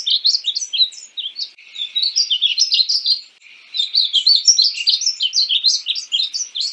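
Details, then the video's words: Passerina ciris, painted bunting, singing in quick succession: continuous high, jumbled twittering phrases of slurred notes, two longer runs broken by a short pause, nothing else heard. "Conheça o belo canto do pássaro estamenha pintada (Passerina ciris)"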